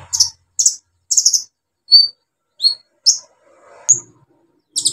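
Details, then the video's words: Lively olive-backed sunbird song for luring non-singing birds: spaced, sharp high chirps and short buzzy double notes, with thin slurred whistles between them and a faint knock in the background. "KOLIBRI NINJA SUPER GACOR NEMBAK ISIAN BUAT TERAPI PANCINGAN KOLIBRI NINJA MACET BUNYI"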